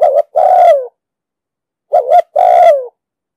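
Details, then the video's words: Two cooing phrases from a spotted dove in the 'đồng sấm' voice style, a lure recording for trapping and decoy training. Each phrase is a brief doubled note followed by a drawn-out, downward-sliding coo, with silence between. "Tiếng chim cu gáy giọng đồng sấm,thúc gù bài bản,đi bẫy, tập bổi,kích mồi,dụ bổi cực sát"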